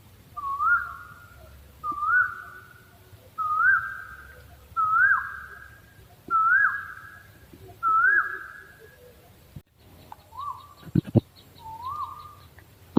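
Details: Owl giving a clear whistled note that rises then dips, about six times at roughly 1.4-second intervals, then a break with clicks and two softer, shorter whistles.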